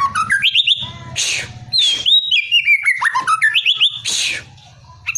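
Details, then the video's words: White-rumped shama being prepared for a song contest, giving a rich, varied song of clear whistled notes, rising and falling slurs, and rapid chattering bursts in quick succession, with a low steady hum underneath. "MURAI BATU untuk persiapan kontes"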